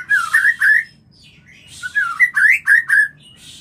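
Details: White-rumped shama mating call for stimulating breeding: two loud phrases of quick, rich whistled notes rising and falling, separated by a brief gap, with a scratchy high edge to several notes.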